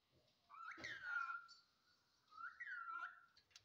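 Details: Talking parrot kept as a pet in Assam, India, saying words in Assamese: two drawn-out, voice-like utterances with a smooth falling then level tone, the first around one second, the second shorter, in a quiet small room.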